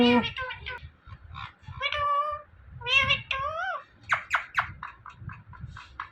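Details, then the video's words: Indian ringneck parrot talking: rapid strings of harmonic, voice-like syllables, some with wavering pitch, ending in short sharp clicks and bursts, with faint low background noise. "Talking Parrot Saying Mithu Mithu"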